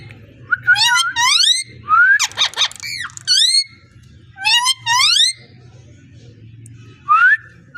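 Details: Parrot voice: upward-sweeping whistled notes layered with overtones, a loud buzzy pulsed burst in the middle, more rising whistles, and a low steady room hum beneath.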